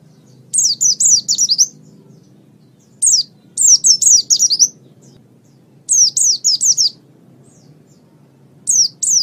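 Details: Energetic gacor song of a pleci, the Japanese white-eye: bright, shrill, descending twitters grouped into four phrases of five or six notes, each phrase roughly three seconds apart, with low hum behind.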